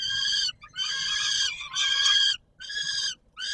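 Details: Peregrine falcon, Palace of Culture and Science in Warsaw, Poland, feeding time, 17 July 2022: loud scratchy calls in quick succession, the longest near a second, with gaps of a fraction of a second.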